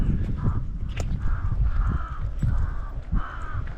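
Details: Crows calling at a hippodrome on the outskirts of Požarevac, Serbia, perched nearby and "yelling"; some birds were possibly rooks. Five harsh, drawn-out caws, roughly one every two-thirds of a second, over heavy low wind rumble.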